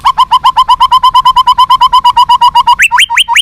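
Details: Captive white-rumped shama song used to make other caged birds more responsive and fighting: a rapid series of about twenty mellow notes near one pitch, then higher sharp whistled notes at the end.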